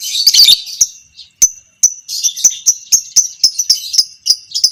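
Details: Fighter-type lovebird, violet parblue creamino, in long 'ngekek' chattering used to train other lovebirds: an opening harsh burst followed by a quick regular string of short high chirps, several per second.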